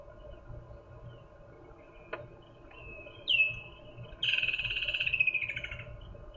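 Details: Male Woodland Kingfisher perched on a safari morning drive, calling before possibly fanning its wings; a call often heard at this time of year. A sharp high introductory note, then a loud ringing two-second trill dropping slightly in pitch, faint low hum beneath.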